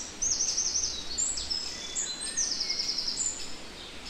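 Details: European robin singing, filmed in the Netherlands: high thin warbled and trilled phrases with quick sweeps, running almost continuously through the clip against a soft background hiss.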